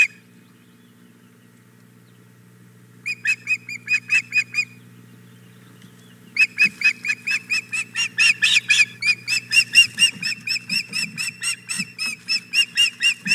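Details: Osprey female begging at the Hog Island Boathouse nest, morning of 4 May 2017, after the male arrives with a fish: a short run of whistled chirps, a pause, then a long, insistent, accelerating series of piercing notes.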